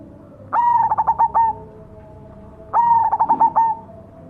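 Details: Cemani zebra dove in full song, delivering two identical cooing phrases about two seconds apart, each a bright opening note dissolving into five or six fast pulsed stutters before a brief held ending.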